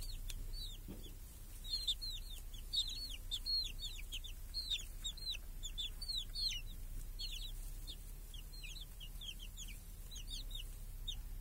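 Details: Chickens and chicks in a village yard under a protective cage, clear summer day, happily feeding; lively stream of piercing downward-slurred peeps from several chicks, thinning toward the end, with faint low background noise.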